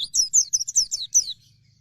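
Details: Oriental white-eye of the pleci dakun type singing vigorously (gacor): a fast run of about eight high, thin, twittering notes sweeping down, packed into just over a second, then falling quiet.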